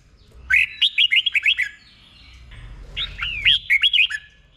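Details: Doubled 'boen' song of a caged red-whiskered bulbul, delivered slowly and clearly for training birds: two rapid rippling phrases of about six quick whistled notes each, separated by a pause of roughly a second.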